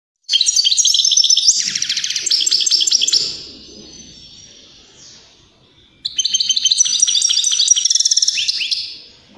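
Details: A European greenfinch in strong song, used to get pet birds singing and to encourage mating: two bursts of rapid, high, twittering trills, each about three seconds long, separated by a quiet pause.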